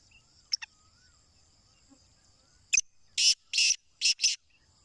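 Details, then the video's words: Black francolin calling: a pair of quick ticks, a pause, then a loud rasping phrase of several clipped, scratchy bursts in quick rhythm over a constant thin high-pitched drone. "Kala Teetar ki Awaz"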